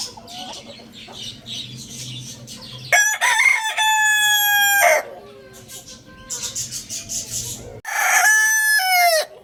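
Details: Lohmann Brown rooster crowing: after soft background clucking, a loud, harmonic, strained crow holds steady for about two seconds, then fades into murmuring. A second loud crow starts near the end.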